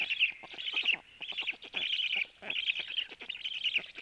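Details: At a black stork nest around 12:01, with the male feeding the young: wheezy, warbling high bursts come in uneven groups, broken by brief pauses, with faint tapping clicks throughout.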